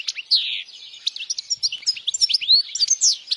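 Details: A European goldfinch sings strongly, a recording intended to help young goldfinches memorize the song: a long downward slurred whistle opens a quick run of liquid twitters, trills and upswept notes.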